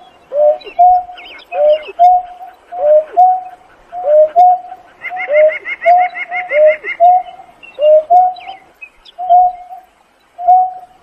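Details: Painted-snipe calling its flock, a steady run of paired hoots, a level note then a lower bent one, repeated about once a second for eleven seconds, with a burst of rapid higher chirps midway.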